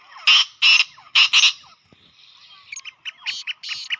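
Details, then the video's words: Black francolin (kala teetar) call played to draw the bird in quickly and excite it: four loud, harsh, rasping bursts, then a softer run of short clipped notes. "Teetar ko Jaldi bulani aur Masti men lane wali Awaz تیتر کو جلدی بلانے اور مستی میں لانے والی آواز"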